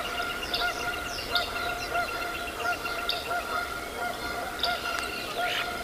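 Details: Bald eagles at a large nest in Decorah, Iowa, recorded 09.04.2024; high, sharp chirps repeat irregularly, with a few quick rising notes, over a steady low hum and hiss.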